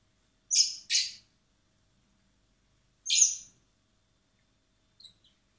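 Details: Hand-fed common blackbird chicks in spring at a wildlife recovery centre, awaiting release: harsh, high, wideband begging bursts, a pair in quick succession then another about two seconds later, a faint note at the end.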